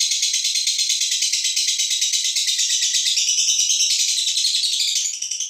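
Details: Female fighter lovebird giving its ngekek, a long continuous trill meant to provoke other birds: a dense, rapid, rattling chatter held high and unbroken for over five seconds, easing off slightly at the end.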